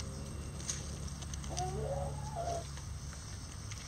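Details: Rooster crowing in a mixed bantam flock of Lavender Old English game, Mille Fleur Duccle and Silver Duckwing chickens feeding on hanging cabbage; a single wavering, nasal crow of about one second, against constant low machinery-like hum.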